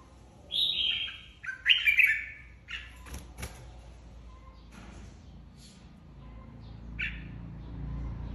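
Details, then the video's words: Red-whiskered bulbul flock leader singing competitively in a cage: two loud warbled phrases early on, followed by clicks, knocks and a softer later note amid quiet background. "Chào mào đầu đàn mới tách avi ra ( chào mào hót đấu)"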